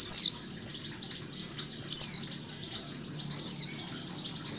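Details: Combined with flock calls to encourage birds to open their beaks, a female mountain white-eye gives three loud, sharply falling, high chips roughly every one and a half seconds over continuous shrill twittering.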